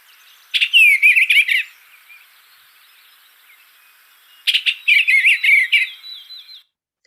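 Eastern Bluebird gives two short bursts of soft, warbled whistles, each about a second long and a few seconds apart, against a quiet background.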